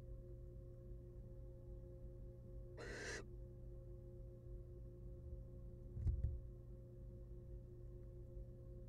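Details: One short, harsh hiss from a wild female barn owl in her nest box after eating a rat and returning to her eggs, followed later by a faint knocking and a continuous low hum.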